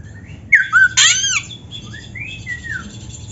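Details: Oriental magpie-robin (kacer) singing in a vigorous full-repertoire style: a harsh buzzy burst, then scattered clear whistles that slide down and rise, with pauses between phrases.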